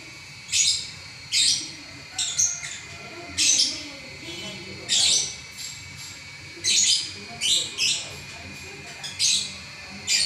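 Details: Champion lovebird in an eleven-minute non-stop singing session, giving shrill, high-pitched chattering bursts about every second, some doubled, with brief gaps between them.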